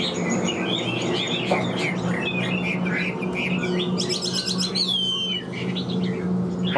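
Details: A captive, newly acquired Chinese hwamei, about 95% tame, sings a loud, rich stream of varied whistles, slurred phrases and rapid trills, over a steady low electrical hum.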